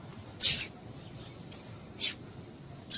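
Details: Female double-collared seedeater calling to stimulate and excite a male into singing: short, sharp, high chips and a thin whistled note, spaced irregularly over about three seconds against a quiet low hiss.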